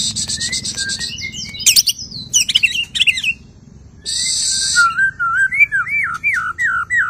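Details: White-rumped shama singing after moulting, unloading its repertoire: buzzy high chatter and twisting whistles, a harsh rasping burst, then a flowing series of mellow, wavering whistled notes.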